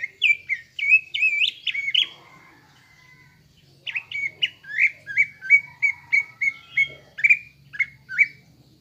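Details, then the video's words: Greater green leafbird lure song for stirring caged birds into a fighting mood: a fast cluster of warbled whistles, a pause of about two seconds, then an even string of bright falling whistles nearly twice per second. "PANCINGAN CUCAK IJO GACOR AGAR EMOSI UNTUK MEMBENTUK MENTAL FIGHTER"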